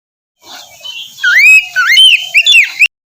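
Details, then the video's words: Oriental magpie-robin singing in the morning to spur a quiet bird: one short phrase of three or four looping, rising whistles, ending abruptly. "terapi pagi cocok untuk mancing kacer malas bunyi agar cepat gacor"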